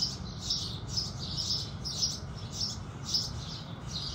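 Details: House sparrows singing at sunrise with a steady stream of soft, high chirps, close to two each second and loosely spaced, over quiet low background noise.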